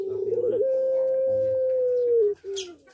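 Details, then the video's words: Puter pelung dove in breeding condition utters one long sustained coo lasting well over a second. It is preceded by rough choppy notes and tails off with a short lower note and a faint high sound. "Puter Pelung Gacor Birahi | Pancingan Puter Pelung Cepat Birahi"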